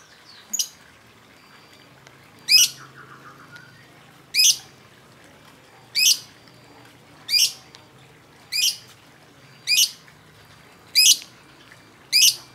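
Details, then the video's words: Lovebird calls used as a lure to provoke other birds into singing: sharp, high, rasping notes repeated roughly every one to one and a half seconds, nine in a row, over a quiet background. "Kicau burung lovebird"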